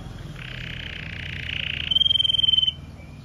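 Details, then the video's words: Red Mosaic Agate canary in powerful song: a buzzy, rasping phrase of about a second and a half turns into a fast, ringing, evenly pulsed trill that ends abruptly. A steady low hum runs underneath. "CANARIO CANTANDO - Powerful song of Red Mosaic Agate Canary"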